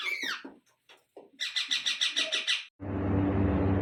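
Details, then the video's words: Indian ringneck parrot chicks at feeding time: a few squawky notes, then a fast series of about ten buzzy, rasping pulses. A loud steady mechanical rumble covers the last second. "Ringnaeck Parrot Natural Sounds | Baby Parrot Sounds"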